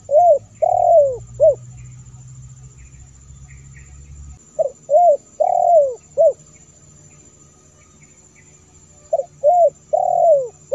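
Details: Spotted dove lure call for attracting wild doves: three cooing phrases about four to five seconds apart, each a short note, a swelling coo, a long descending coo and a brief closing note, over a low hum.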